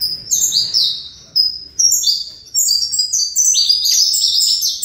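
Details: Fibra-style song of a breeder-raised saffron finch: bursts of sharp, high descending chirps broken by two short gaps, then a long, crowded, unbroken volley of notes.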